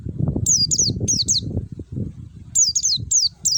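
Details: White-eye of the forest type used as a lure to get kept birds singing. Sharp, high, descending chirps in rapid clusters of two to four repeat through the clip, with a steady low rumbling background.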